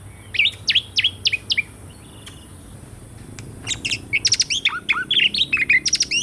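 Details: Song of the Asian pied starling, recorded to stimulate birds that stopped singing: quick series of sharp downslurred chirps, a near-silent pause, then rapid chattering bursts of high notes.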